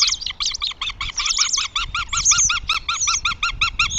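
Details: Northern goshawk at its nest in Tartu, Estonia, on 2 June 2025: a loud, steady series of harsh, nasal, evenly spaced notes, about six per second, lasting four seconds, with a thinner high squeal over the middle.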